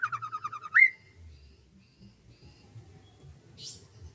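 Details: Bird singing on a morning in rice fields: a quick series of a dozen rapid, pulsing notes rising into one sharp upslurred whistle, then a single high, thin note after a pause, with a low rumble beneath.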